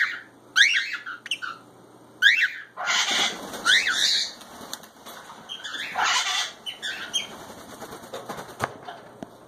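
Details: Two pet cockatiels making mischief indoors: rapid rising chirps early on, then noisy fluttering, scuffling and rustling, with a few more short squawks toward the middle.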